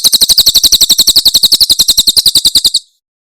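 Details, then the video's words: Javan prinia singing a Tembakan Cililin song, used for tutoring caged songbirds: a rapid run of sharp, high, chipping notes, about four per second, evenly spaced for nearly three seconds, then silence. "Masteran Tembakan Cililin SUARA SUPER JERNIH"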